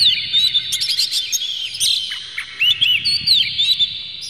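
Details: Oriental magpie-robin singing in an emotional, tail-opening display: rich whistled notes and twisting slurs, a harsh burst midway, then clear rising and falling whistles; the song serves to provoke rival magpie-robins.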